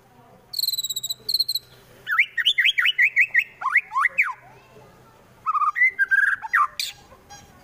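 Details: White-rumped shama in Wonosobo, Central Java, giving a rough provoking song used to rouse rival birds to fight: high thin repeated notes, then a fast series of sharp whistled slurs, a pause, and a burst of warbled phrases.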